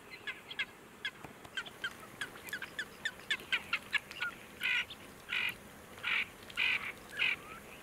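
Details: Ferruginous duck, a diving duck, recorded in August 2022 at Tablas de Daimiel National Park, Ciudad Real, Spain: short clicking notes give way to harsh, buzzy grating calls repeated about once every half second.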